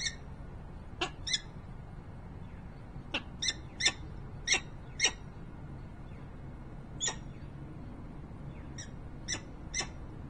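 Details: Peregrine falcon vocalising at its nest in Harrisburg, Pennsylvania on 28 November 2020: scattered clusters of short, sharp, rasping notes separated by longer quiet stretches, low background hum throughout.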